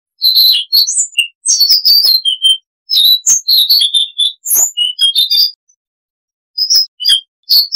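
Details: Siberian rubythroat song, rich in varied sounds: clusters of high chirps, whistles and short buzzy notes delivered in quick irregular phrases, with a longer silent gap before the last few notes.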